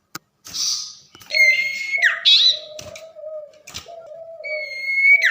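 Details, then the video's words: Tame common iora singing actively at night: clear sustained whistles, some level and some sliding downward, with a steady low humming tone and a few clicks and knocks in the background. "Burung Sirpu/cipoh jinak gacor saat di malam hari"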